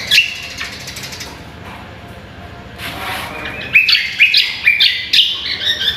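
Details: Cucak kombo in a contest-training recording: a short burst of chirps, a hushed gap with a soft rustle, then a run of bright, rapid whistled phrases stepping up and down.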